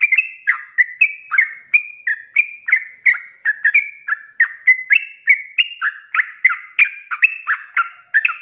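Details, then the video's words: Energetic ropelan singing of a sooty-headed bulbul, meant for tutoring cage birds: fast, steady string of short fluty whistles with rising and falling slurs, nearly continuous. "SUARA ROPELAN BURUNG TRUCUK GACOR||COCOK BUAT MASTERAN"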